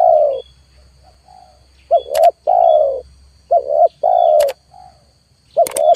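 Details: Lure call of a spotted dove, with wild birds not coming down. Deep coos repeat in phrases of two quick notes and a drawn-out note, with brief sharp clicks between them and a thin constant electronic whine.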